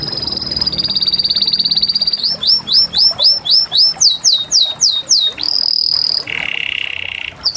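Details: Canary holding a high steady trill, then a run of about a dozen repeated swooping notes, a sustained high note and a low buzzy roll, all sung loudly and clearly.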